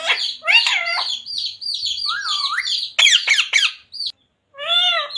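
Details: Pet parrot taught to say "Radhe Radhe" and "Sita Ram", heard here with squeaky chirps, a bending whistled phrase, harsh bursts and a final drawn-out speech-like syllable after a brief silence.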